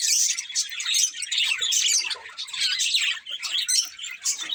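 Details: Several budgerigars chirp together in a dense, unbroken chatter of high, scratchy twitters and warbles, overlapping throughout with no pauses.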